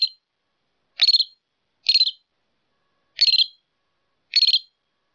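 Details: Northern Shrike calls: a repeated harsh, buzzy note, five in about five seconds, each rough and slightly stuttered.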